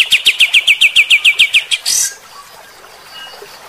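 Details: Kapas tembak bulbul in 'gacor' shooting song: a rapid string of sharp chirps, then a short harsh noise burst and near quiet, with one faint chirp at the end.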